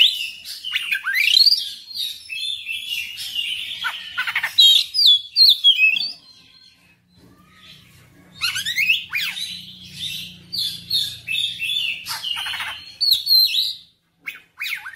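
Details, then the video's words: Oriental magpie-robin in full, persistent song, unloading its whole repertoire: a rapid run of varied whistles, chips and harsh rasping notes, a short quiet gap with a faint low hum, then another dense burst of mixed phrases. "KACER NGOTOT GACOR FULL BONGKAR MATERI"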